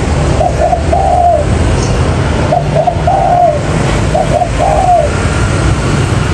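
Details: Spotted dove cooing, played as a trapping lure, in repeated phrases of two brief coos and a longer falling one about every one and a half seconds, against steady low rumbling background noise.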